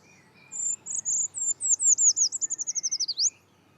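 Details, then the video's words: A Eurasian Treecreeper, often singing from high in a tree, in spring near Dublin, gives one of the highest-pitched songs: a thin, very high, shrill phrase of about fifteen quick notes tumbling downward, ending with an upward flick. "so that's the sound of the tree creeper so again one of our highest pitch bird songs"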